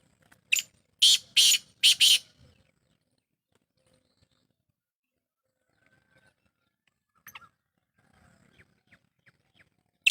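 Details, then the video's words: Black francolin from Sindh, called kala tetar, with a fast run of four harsh, scratchy notes at the start. A long near-silence follows, with faint distant chirps and one more rasping note at the close. "Sindhi Kala Tetar Awaz"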